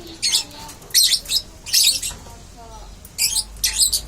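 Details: Baby lovebird learning to chatter ('ngeriwik'): short harsh, buzzy high chirp bursts, about one every half second, in pairs and triplets with quiet gaps between; faint low room hum beneath.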